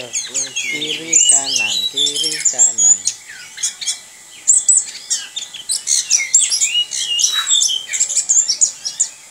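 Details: Orange-headed thrush in rolling song, a dense run of rapid high chirps, trills and whistles, opening over a lower, harmonically rich chattering sound that fades after a few seconds.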